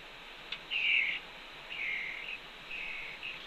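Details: Red-tailed hawk fledgling beside its mother near the nest ledge at Cornell, 2 June 2013, 2:47 PM; three drawn-out, hoarse, level calls, each under a second, with a brief click before the first and quiet background hiss.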